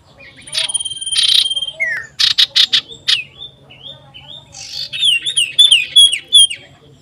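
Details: Loud common iora song, the bird seeking a rival, 27/12/22: drawn-out buzzy notes, quick chips, then a fast series of bright slurred whistles repeated about three times a second over a faint low hum.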